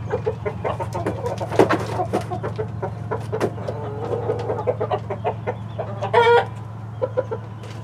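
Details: Mixed flock of domestic chickens, Light Brahma, Barred Plymouth Rock and White Leghorn hens plus a Rhode Island Red rooster; dense clucking throughout, then a short, harsh, tonal squawk near the end, over a low background hum.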